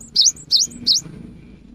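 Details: Three clear, high, down-up whistled notes from a cinereous tit singing in the afternoon, a song said to prompt other tits to join in.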